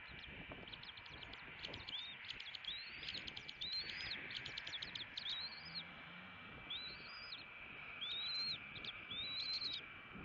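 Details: Bald eagle chicks in a nest in Southwest Florida calling for breakfast at 6:49 am on 6 January 2018, recorded on a nest camera: high thin whistled peeps with rising-falling slurs repeated through steady broadband hiss.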